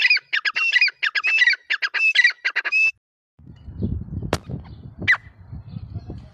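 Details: Grey francolin, possibly female, giving a burst of harsh, shrill, grating notes in quick repeated phrases for about three seconds, followed by a low rumble with a few clicks.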